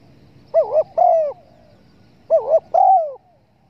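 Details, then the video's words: Spotted dove cooing used as a hunting lure to attract the birds. Two clear phrases, each a wavering double note followed by a longer, drawn-out coo that falls at the end, over faint background hiss. "pancingan suara burung TEKUKUR"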